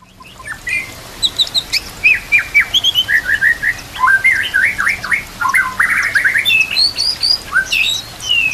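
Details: White-rumped shama song played as training material for captive shamas: a dense run of loud, varied whistled phrases with quick rising and falling notes and sharp high chips, over a steady background hiss.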